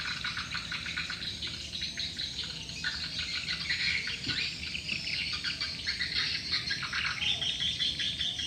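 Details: Swiftlets, with the sound used as a lure call: a dense, continuous chorus of rapid high twittering chirps and clicks from many birds at once, overlapping without pause, over a steady low hum.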